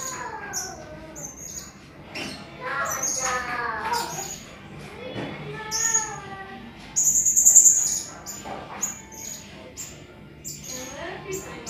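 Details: Blue-crowned hanging parrot (Loriculus galgulus) song used as a tutor recording for songbirds: thin, very high shrill notes and buzzy trills, repeated rapidly, over fainter harmonic wavering calls.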